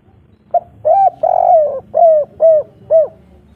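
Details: Calling a female, a local three-note 'kuk 3' spotted dove delivers a short lead-in note, a long wavering coo, then three evenly spaced, downslurred coos, mellow against a low background hum.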